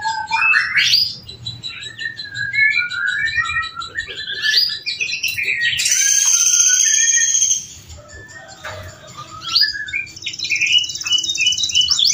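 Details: Captive-bred male canary, an adult breeding bird, singing a long master song for training: rapid trills and rising whistled notes, a loud buzzy high trill held about a second and a half, then more rolling phrases.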